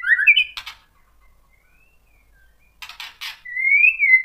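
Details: White-rumped shama song to provoke other shamas: a loud whistled phrase, clicking bursts, a quiet stretch, more clicks, then a long wavering whistle.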